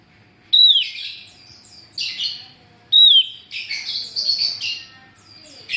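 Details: Female Javan grey-throated white-eye calling to lure males: a sharp, downslurred high whistle opening each burst of buzzy, chattering chirps, with phrases roughly every two and a half seconds and brief softer tweets between.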